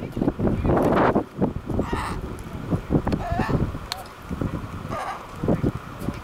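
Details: Chinstrap penguins at Half Moon Bay, Antarctica, give harsh, raucous calls in quick rough pulses, loud at first, then fading, with wind rumbling underneath.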